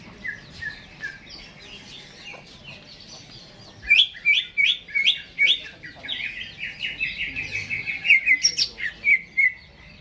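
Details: Caged Greater green leafbird, not yet hung up, opening with soft scattered notes, then a loud burst of repeated sharp chirps followed by a fast twittering warble that slides downward.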